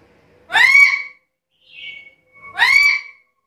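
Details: Black-capped lory giving two loud, harsh rising calls rich in overtones, about two seconds apart, with a faint short whistled note between them.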